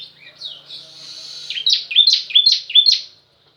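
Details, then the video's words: Bar-winged prinia delivering a pranjak-style variation: it opens with a thin, slightly buzzy drawn-out note, then gives five sharp, high, down-slurred chirps in quick, steady succession before falling silent. "Ciblek Daput bunyi variasi Pranjak tamu"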